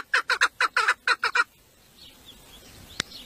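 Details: Domestic female chukar partridge, a village decoy or 'mari' used in hunting to draw males, gives eight quick, hoarse chucking notes in under two seconds, then quiet background with two sharp clicks.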